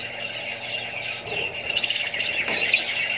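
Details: Short burst of Australian budgie flock noise alongside other parrots and chicks, with scratchy squawks and quick squeaky chirps piling up, getting a little busier toward the end.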